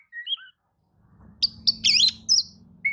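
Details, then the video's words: An Oriental magpie-robin replies to another magpie-robin's singing with short whistles and a harsh churring burst over a low steady hum. "kacer manasaja jelas ikut nyaut emosi dengrar kicau kacer seperti kacer ini"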